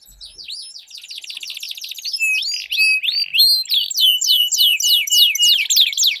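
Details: Duelling canaries: a soft fast rattle building into louder looping whistled notes and quick repeated downward sweeps, trilled and high-pitched throughout.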